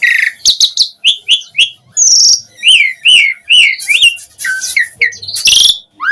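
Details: Asian pied starling singing as a lure meant to prompt other starlings to answer and sing, delivering varied loud whistles, quick repeated slurred notes and rasping buzzy bursts in a busy, unbroken stream.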